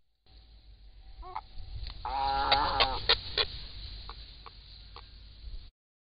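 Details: Grey heron at a nest with a pair raising young in reedbeds: a brief burst of nasal, harsh squawking, then scattered dry knocking ticks over a steady low rumble.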